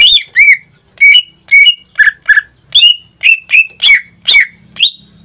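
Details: Pet greater green leafbird (cucak ijo), kept caged and in full song (gacor), singing almost every day: loud, harsh, squawky notes that slide downward, repeated quickly with about eleven bursts in five seconds, no other sounds.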